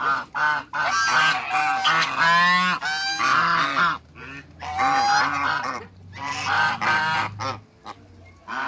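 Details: A pair of African geese in a backyard giving loud, harsh, harmonic-rich honks in rapid overlapping bursts, some rising and wavering, with brief quiet gaps between volleys.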